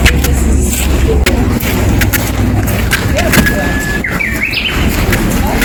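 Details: Japanese bush warbler singing in the garden of Tenryu-ji temple, Kyoto, on 6 April 2023: one long, steady whistled note, then a quick flourish of rising and falling higher notes. Low traffic rumble and faint voices run throughout.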